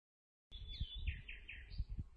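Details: Common nightingale singing during a survey of this secretive bird: a quick run of slurred, downward-sweeping whistled notes, roughly four per second, followed by a higher rising note, over a steady low rumble.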